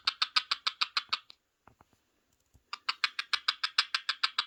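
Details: Indoors, a pet parrot watching parrot videos on a mobile phone produces rapid, evenly spaced harsh clicking chatter in two bursts of about a dozen pulses each, separated by a brief quiet gap with faint taps.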